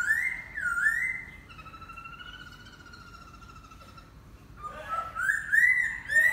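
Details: Laughingthrush song opens with loud, looping whistled phrases, drops to a faint, drawn-out whistle, then returns to strong, swooping whistled notes.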